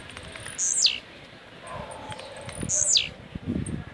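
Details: Caged blue-black grassquit from Jacarepaguá, Rio de Janeiro, Brazil, singing the rojão style: two short buzzy phrases, each sliding down steeply from very high pitch, about two seconds apart, with faint background chatter.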